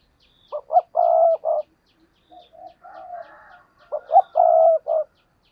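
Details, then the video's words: Spotted dove kept as a decoy in Vietnam to attract wild doves, repeating its coo phrase twice: two quick clipped notes, then a long steady mellow coo. Softer murmuring notes come between phrases, with faint high chirps. "tiếng cu gáy mồi cây thúc rút bổi căng lửa"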